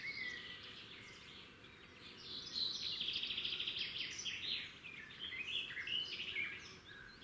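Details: Wild red-backed shrike near its nest by a road, giving a varied run of chattering, scratchy high notes in uneven bursts, loudest around the middle, with a steady low background hum.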